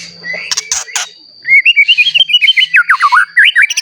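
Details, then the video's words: White-rumped shama singing to rouse other shamas; a few harsh noisy bursts, then a quick series of repeated whistled slurred notes, rising and dipping, roughly two per second, over a faint hum. "Murai Batu Gacor Ampuh Untuk Pancingan Murai Batu Agar Bunyi Langsung Emosi"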